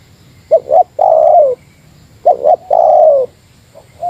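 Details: Spotted dove giving a meratus-style lure call against a rival: two quick hooting notes, then a long, loud, slightly falling coo, repeated twice, with a faint start of a third phrase at the end.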